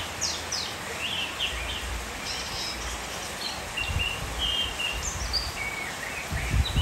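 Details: Oriental magpie-robin singing during steady seasonal rain: sweet, clear whistled notes and short slurred phrases, varied in pitch and loosely spaced, over a constant hiss of rain with low rumbling underneath.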